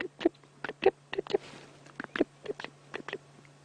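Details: On a sunny afternoon safari drive on 28 June 2016, about 77°F with a warm northwest wind, a chinspot batis gives a dry, clicking alarm chatter of about a dozen sharp notes in under four seconds, over a steady low engine hum.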